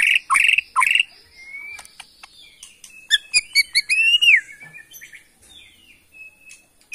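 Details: Borneo white-rumped shama, an original bird from the Kalimantan forest, in action: loud bursts of chirps open the phrase, followed by varied whistles, clipped notes and rising-falling slurred whistles, with quieter notes trailing off.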